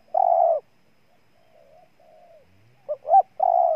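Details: Spotted dove from Ninh Thuận, Vietnam, giving a long, low, steady coo, then faint soft murmurs, two short rising notes and another long, even coo; no other sounds.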